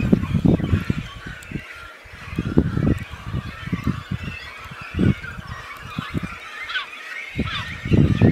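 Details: Nesting cormorant colony at Khetsuu Khad, Mongolia: deep, guttural croaks and grunts in irregular bursts every second or two, with fainter higher chatter from the colony and some wind rumble.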